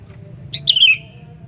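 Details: Single loud call of a Sooty-headed bulbul, used to attract other bulbuls; a short clipped note leads into a ringing, descending whistle, with a soft low background drone.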